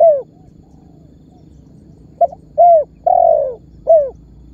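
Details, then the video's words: Spotted dove calling as a lure for other birds. A falling coo ends one phrase, then after a pause a new phrase follows: a clipped double note, a short coo, a long drawn coo and a closing downward coo. "SUARA BURUNG TEKUKUR MEMANGGIL DAN MENEKAN MEMBUAT BURUNG LAIN IKUTAN BUNYI"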